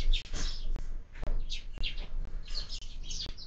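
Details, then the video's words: Sparrows feeding at a window-mounted bird feeder at breakfast, calling with scattered high chirps and short tweets, alongside soft tapping and bumping from the feeder. "Воробьи в кормушке - Завтрак"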